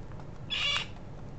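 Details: Pink and grey galahs bickering among themselves while feeding: one harsh, rasping screech lasting about a third of a second, over a steady low background rumble.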